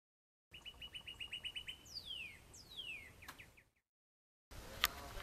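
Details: Northern mockingbird harassing a juvenile red-shouldered hawk to defend its territory, on the outskirts of Orlando, Florida, on May 5, 2019: a quick run of repeated short whistled notes, then several descending sweeping whistles, faint over background hiss, followed by a break.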